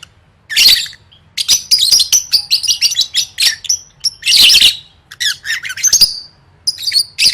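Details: Lovebird singing for contest practice: a fast string of shrill chirps and squeaky whistles, broken by two louder harsh rasping bursts.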